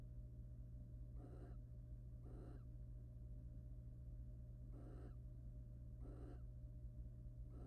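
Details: Wild barn owl pair courting in a monitored nest box as the male preens and then mates with the female; harsh, breathy hissing bursts about a third of a second long, five spaced irregularly, over a steady low electrical hum.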